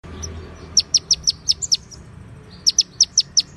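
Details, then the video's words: White-rumped shama singing konin-style song filled with cililin and ciblek imitations, clear with pauses: two runs of sharp, high, evenly spaced chirps, about six notes each, separated by a gap, over low background hum. "MASTERAN MURAI BATU | KONIN ISIAN CILILIN DAN CIBLEK | SUARA JERNIH DENGAN JEDA"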